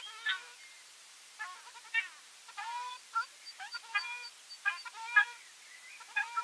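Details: Ruddy shelduck giving nasal, goose-like honks in scattered short bursts, about one per second after a brief opening call and a pause, some calls doubled or overlapping, with quieter stretches between them.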